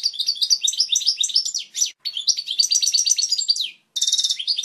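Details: European goldfinch song for tutoring chicks: quick chains of high tinkling notes and slurred chirps, a short gap, then a harsher buzzy twitter at the end.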